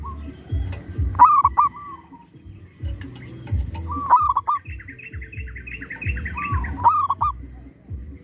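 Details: Zebra dove used as a lure while trapping wild birds, calling on despite a tree squirrel disturbing it. Short, hooked, fluty coo phrases repeat every few seconds, with a chattering series of higher notes midway and constant low rumbling background noise.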